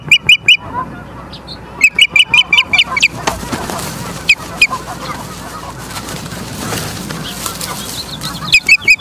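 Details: Osprey at a nest in Charlo, Montana, on 9 September 2023 at 18:51, captured by a live nest camera: bursts of sharp, high whistled chirps in quick runs, with lower honking from other birds and steady background noise.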